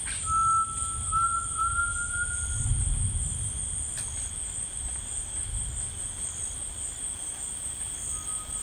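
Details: Rainforest tinamou song: a clear, sustained, pure whistle of about two seconds that drifts slightly upward, and then a brief faint whistle near the end, set against steady insect buzzing and low rumbling.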